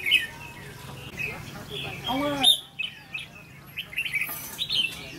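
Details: Trainee decoy red-whiskered bulbul gives scattered sharp chirps and brief warbles while a man's voice talks briefly in the middle.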